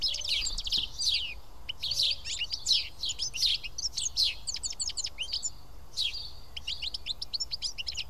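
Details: Group of house sparrows at Karyotissa, Greece, perched and feeding together; clipped chirps cluster densely at first, thin out briefly, then resume, roughly eighty notes a minute.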